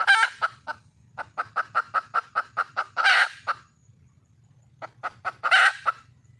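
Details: Calling wild junglefowl hen seeking a male: a squawk, then a steady train of about ten sharp clucks roughly every fifth of a second rising to a hoarse squawk. After a gap, another quick cluck series ends in a squawk.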